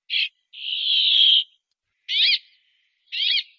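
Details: Brambling song: a brief buzzy note, then a long, even, nasal wheeze lasting about a second, followed by two short rasping notes; nothing else audible.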